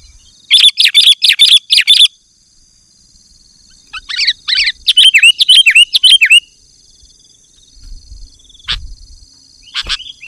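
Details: Sooty-headed bulbul song for calling wild birds: a rapid burst of clipped chirps, a pause, then a fast series of bubbly down-slurred notes, followed by quiet with a few faint knocks.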